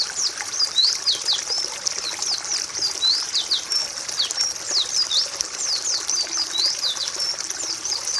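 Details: White-eye, or pleci, in a song-training recording: quick, high chattering phrases of downward-sweeping whistles, flowing continuously with brief lulls.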